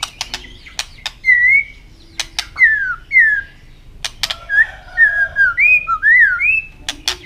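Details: White-rumped shama singing in a contest, tail flicking steadily: loud clear whistled phrases, some wavering and some sliding down, separated by crisp clicking sounds, ending in rising slurred notes.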